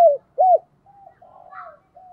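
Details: Decoy spotted dove in đồng pha voice, thúc and gáy gọi calling: two short arched coos in quick succession, then soft, faint drawn-out notes trailing off.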